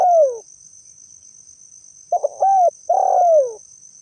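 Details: Spotted dove calling, a recording used as a lure for trapping wild doves; a falling cooing note, then a stuttering coo and a long descending coo, over a steady high-pitched insect-like whine.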